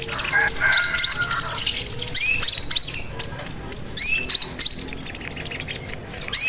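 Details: Sogon bird singing loudly as a master recording for training birds: repeated upward-sweeping whistles mixed with sharp high chirps, roughly four notes a second, keeping up for the whole stretch.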